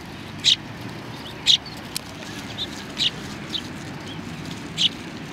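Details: Sparrows coming to be fed at Tenmangu shrine, 25 November 2020. Sparse single sharp chirps, about one a second and irregularly spaced, over quiet background.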